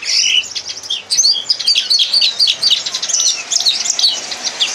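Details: Red crossbill lesson song for captive birds: a buzzy high opening, then a steady series of quick repeated whistled chips and trills at a brisk, even pace.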